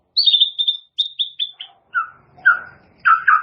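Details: Caged-bird training song of the white-rumped shama: a descending series of clear high whistled notes, followed by lower slurred phrases and a rich warble at the end.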